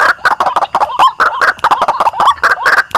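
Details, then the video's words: Lure recording of white-breasted waterhen from Indonesia: loud, rasping croaks packed closely together, broken by a few brief rising squeals. "Suara Pemanggil Ruak-ruak"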